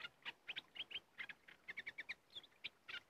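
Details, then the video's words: Aggressive red-whiskered bulbul encountered at a decoy site. Rapid series of crisp, bouncy whistled notes, mostly mid-pitched with a few higher slurs, delivered in quick, evenly spaced pairs and triplets. "Burung merbah lekir bay hoach thom Gacor"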